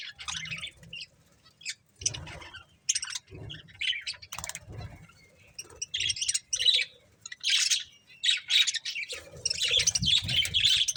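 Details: Several pet budgerigars eating corn, giving short scattered bursts of high chirps and scratchy twitters separated by brief pauses, with soft low thumps and rustling between calls.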